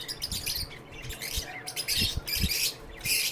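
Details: Lovebirds in a bird shelter giving loud, raspy chirps and squeaky twitters in rapid bursts, with brief pauses and low knocking sounds.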